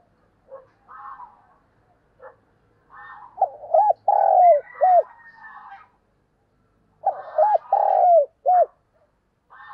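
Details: Decoy spotted dove cooing in the morning to lure wild doves: soft, low, rolling coos in two phrases, each a short burst of a few hooked notes and one longer drawn-out note, with fainter higher chattering notes between.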